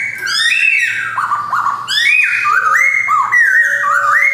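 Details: Caged male black-throated laughingthrush, white-cheeked form, Jogjakarta 2021. It sings varied rich whistles that slide up and down, swooping and dipping notes strung into phrases, with a faint low tone beneath.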